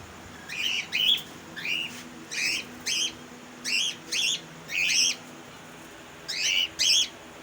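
Budgerigars give short, bright chirps in quick bursts, with brief pauses between the groups.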